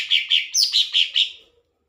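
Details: Lesser green leafbird, called cucak ijo, in full song: six bright, ringing whistled notes at an even quick pace, the third pitched higher, fading out at the end.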